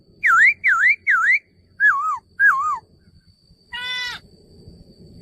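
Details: Male laughingthrush giving three loud V-shaped whistles, then two wavering falling whistles, followed by a harsh buzzy note with a faint background hum.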